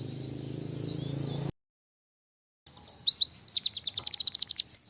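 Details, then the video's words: White-eye lure and master song: a short high buzzy phrase cut off, silence, then twittering that speeds into a rapid series of sharp repeated high notes, ending with a thin whistle. "Suara Pikat dan Master Kicau Burung Pleci"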